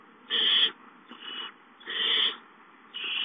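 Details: Barn owl owlets give harsh, breathy hisses, four bursts of about half a second each, roughly one per second, over faint background noise, at the nest on 19 April 2013 as the adult male brings a mouse.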